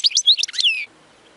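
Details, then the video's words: Short European goldfinch song phrase, error-free song used to tutor young goldfinches: quick high chirps lasting under a second, ending in a long downslurred whistle, then quiet. "اقوى تغريد لتسميع فراخ الحسون خالي من الاخطاء"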